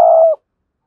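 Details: Decoy spotted dove with a strong voice giving one short, steady low coo that stops abruptly.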